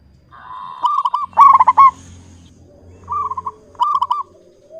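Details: One loud rolling coo trill from a clear-voiced local zebra dove, followed by two softer short coo phrases over a low steady hum.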